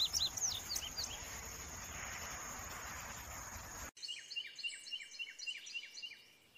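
Indigo Bunting song: bright, high notes in quick paired phrases, first over a steady hiss of background noise, then clearer against a quiet background.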